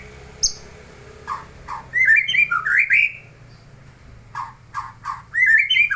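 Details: A neighbour's white-rumped shama gives a high whistle, harsh low chuck notes, and bursts of rich, quickly varied whistled phrases, repeating this pattern twice with a low hum in the background.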